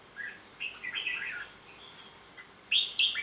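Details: Red-whiskered bulbul giving soft, warbling whistled phrases that wander up and down, then two sharp, louder chirpy notes at the end.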